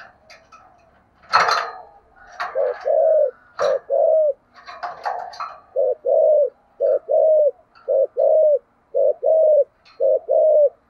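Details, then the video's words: Clattering and scraping noises open the recording, then a spotted dove with a thổ sấm voice settles into steady thúc gù cooing, deep paired coos repeating roughly every second. "cu gáy giọng thổ sấm/ cu gáy thúc gù cực đỉnh"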